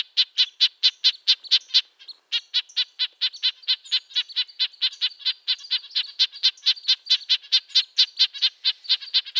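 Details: Fast, steady stream of clipped nasal notes from a red-breasted nuthatch, roughly two to three per second, briefly breaking off near the two-second mark before continuing.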